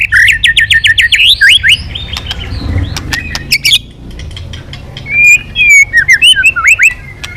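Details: White-rumped shama singing again after a silent spell opens with a quick string of rising whistled notes, pauses with sharp clicks, then resumes with fluty slurred phrases ending in upward sweeps.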